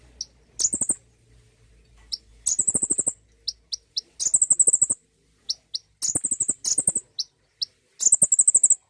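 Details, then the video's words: Common iora singing as a prompt for another bird: repeated shrill, fast trills roughly every one to two seconds, separated by single sharp chips, with faint low hum early on. "pancingan bunyi burung konin!"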